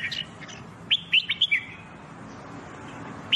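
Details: Song of a red-whiskered bulbul used in singing training: a brief cluster of four clear whistled notes, sharply rising then falling, followed by quiet, with a faint steady background hiss.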